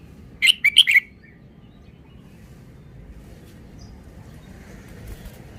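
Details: Red-whiskered bulbul giving a single short phrase of four quick, bright warbled notes near the start, followed by several seconds of quiet hiss.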